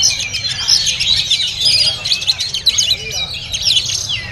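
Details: At a bird market, a caged oriental magpie-robin delivers rapid, varied song: sharp whistled notes, buzzy trills and falling slurs crowded together, about one burst per second, amid surrounding chirps and low market rumble.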